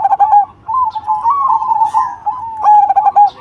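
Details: Cemani zebra dove with a big voice: a brief stuttered coo, then a long smooth warbling coo that rises and falls gently before another stuttering burst and a clear held note.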